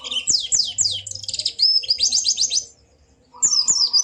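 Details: Energetic white-eye ngalas song for rousing a quiet bird: fast sweeping high notes run into a rapid trill of chirps, a short silence, then more twittering over a lower whistle.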